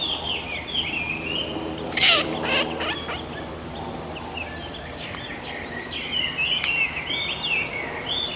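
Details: Eurasian teal calls from males and females: short, high, whistled notes in quick runs, with a brief harsh burst near the start and soft background noise.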